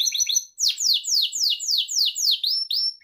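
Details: Pet Gloster canary song meant for training young canaries: quick high twitters give way to a run of steeply falling swept notes repeated about three times a second, ending in clear whistled tones.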